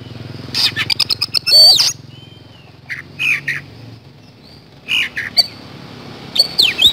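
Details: Lure recording of an Oriental magpie-robin in full, vigorous song in the 'nembak speed roll' style: quick ticking bursts, a looping whistle, then scattered harsh swooping notes and short clicky phrases over a low hum.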